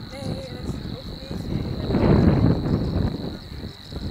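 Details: Two Savi's warblers (Locustella luscinioides) at De Onlanden, Drenthe, Netherlands, on the morning of 22 April 2018: a steady, fast, insect-like reeling buzz without a break, under loud low wind rumble that swells midway.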